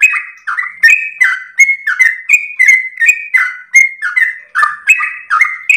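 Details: Yellow-vented bulbul with a melodious, long-breathed ropel song used as a master and lure: fast, continuous whistled notes bouncing between two pitch levels, high ticking accents, around fifteen phrases without a break.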